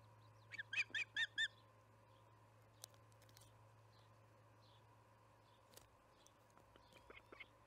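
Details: Evening feeding at the Charlo osprey nest on July 9, 2019, around 6 pm MDT: a quick burst of four sharp, high whistled chirps early on, then near silence with a few faint clicks and a constant low hum.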